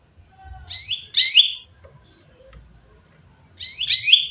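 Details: Female canary calling to a male: a pair of rough, buzzy chirps, a quiet gap of two seconds, then another loud doubled chirp.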